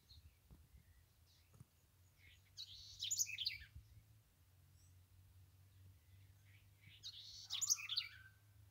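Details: House wren singing in the Cariri environmental protection area: two separate bursts, each about a second long, of rapid, bubbling, high-pitched notes with tumbling trills, several seconds apart, over a low steady background hum.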